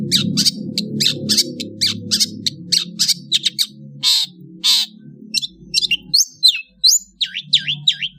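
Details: Indonesian long-tailed bird heard in the afternoon, giving a varied series of sharp high chips, short buzzy notes and looping, swooping whistles toward the end, over a steady low hum in the background.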